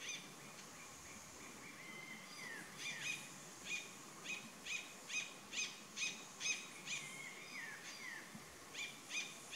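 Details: Mountain cacique at 2,400 m altitude at Vereda La Cristalina, Neira, Caldas, Colombia, giving loud, harsh, clipped notes about twice a second, mixed with a few sliding whistles, over a steady hiss of background noise.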